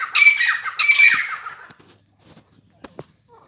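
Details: Morning call of a grey francolin, two harsh, rasping bursts delivered back to back, then near silence with a few faint taps and clicks.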